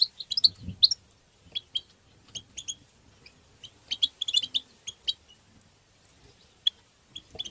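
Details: European goldfinch batbata and satsata twittering, played to stimulate songbirds: bright high chirps tumbling in irregular clusters, some doubled or tripled, with short silences between bursts and a faint low thump near the start.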